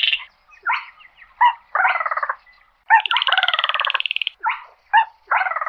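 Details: Calling its flock, a slaty-breasted rail mixes quick harsh clucking notes with rattling pulsed bursts, one longer rattle lasting over a second, and no background sound.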